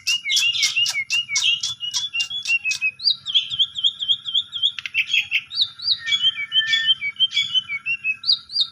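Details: Lure song from an Asian pied starling aimed at a sulking bird: a fast series of harsh, buzzy chattering notes, then long wavering whistles and mixed whistled slurs, rich in variety throughout.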